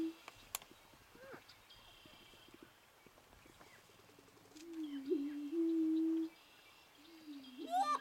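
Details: Greater prairie-chicken booming during its mating dance: a low, hollow, moaning hoot held steady for nearly two seconds, then rising again, with faint high cackles and other birds around.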